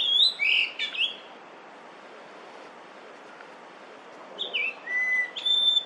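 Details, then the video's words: Yellow-billed grosbeak, a summer visitor in Korea, singing in early May 2024: a clear, high whistled phrase of sliding notes, a long pause of soft background hiss, then another bright whistled phrase with level and falling notes. "밀화부리 울음소리 yellow-billed grosbeak song"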